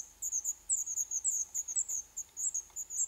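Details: Young black redstarts in their nest within an old furnace pipe of a building about to be torn down, Poland, day eleven; high, thin chirps given in quick, uneven bursts over faint background hiss.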